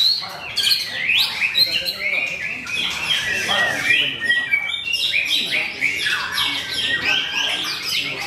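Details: Murai batu, or white-rumped shama, competing at Mahendra Arena as a debut bird that won a podium place. A dense, high, fast-changing run of sharp whistles and trills fills the recording. Other birds and crowd chatter blend in behind.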